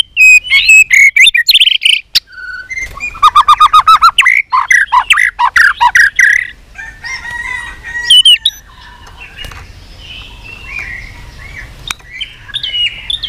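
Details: Long many-voiced song of a white-rumped shama trained for contest duels: rapid trills, buzzy stretches and loud whistled notes in quick succession, easing into softer scattered notes toward the end.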